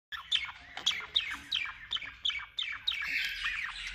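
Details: Male budgerigar singing: a continuous warble of chattering, squeaky notes, with sharp descending chirps repeated roughly every third of a second over a faint low hum.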